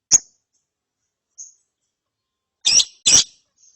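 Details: Following therapy, a lovebird chick ngeriwiks: an isolated sharp chip, a faint thin note, then two loud, harsh double chirps in quick succession.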